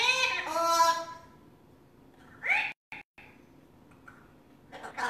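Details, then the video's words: A pet Amazon parrot that talks and sings gives a voiced, speech-like phrase, then a short burst and a final brief sound, with a nearly silent pause in the middle. "Talking and singing Parrot"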